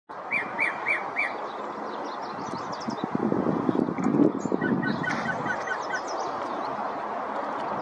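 Yellow-breasted chat giving four quick, evenly spaced mid-pitched notes, then a brief run of short notes, over a steady rushing background with a burst of louder noise midway.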